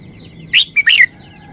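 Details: Short song of a red-whiskered bulbul: one quick phrase of three bright, bubbly whistled notes, the last one dropping in pitch. A faint steady high tone and light chirping sound behind it.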